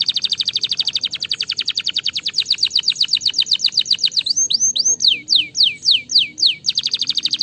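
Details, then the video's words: Canary singing, meant to encourage lazy canaries to sing: a long, fast, buzzy trill of rolled notes, then loud rising and falling slurred whistles before the rapid trill resumes. "estimular o som dos canários preguiçosos"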